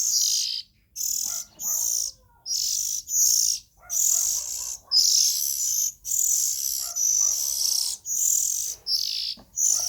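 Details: Young Oriental magpie-robins repeat rasping, high hissy calls about once a second, around a dozen bursts in steady succession.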